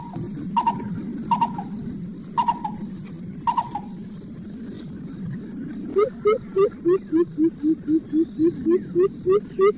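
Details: Mother coucal scolding chicks that stay hungry despite plenty of food: short doubled notes repeated about once a second, followed by a steady series of low hooting notes, roughly three a second, rising slightly in each note.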